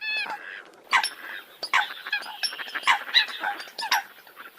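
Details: Eurasian coots give scattered harsh honks and downward-sliding squawks, mixed with softer chattering notes, in a short, uneven burst of calling.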